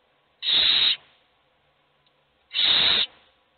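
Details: Owl chicks begging while hungry, only one fed: two drawn-out, harsh hisses about two seconds apart, separated by near silence.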